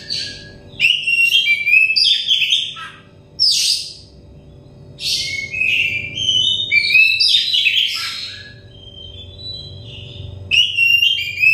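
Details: Oriental magpie-robin, a stressed, untrained bird, singing as therapy to get loud, open song: repeated bursts of varied whistles, harsh chatters and sweeping notes, broken by short pauses, over a steady hum.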